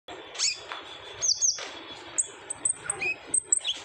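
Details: Olive-backed sunbird in lively 'gacor ngobra' style, played as a lure to get untrained sunbirds singing: sparse, very high thin chirps and short sweeping notes, with gaps between bursts and a faint low hum beneath.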